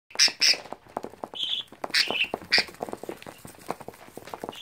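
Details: An albino baby budgerigar gives harsh, high squawks and chirps over a steady patter of soft clicks.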